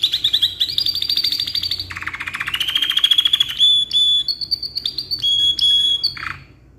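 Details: Energetically singing canary, its long song meant as a model for young birds: a rapid stuttering trill, a rising buzzy roll, then a series of clean steady whistles and a final low note.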